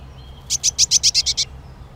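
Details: Eurasian nuthatch delivering a single brisk run of seven sharp, high, evenly spaced notes lasting under a second, after a faint thin whistle.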